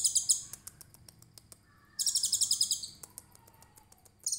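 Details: Tutor song of a konin trotol, 'tembakan cililin' style: a short shrill pulsed trill, scattered ticks, then a longer fast buzzy trill and the start of another at the end.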